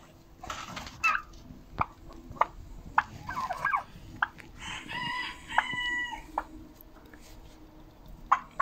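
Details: Chickens on Monday, 10 October 2022, with eight eggs collected that day: a drawn-out crow with stretched, level notes in the middle, mixed with short clucks, scattered knocks and background rustling.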